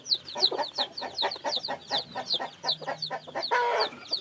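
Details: Newly hatched chicks peeping: a rapid series of high, thin, downward-sliding peeps about three per second, overlapping one another, ending in a brief harsh, noisy burst.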